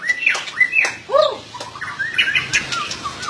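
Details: White-rumped shama song of short whistles, some rising and some falling, with a lower arched note mid-phrase and then a rapid, varied twittering run.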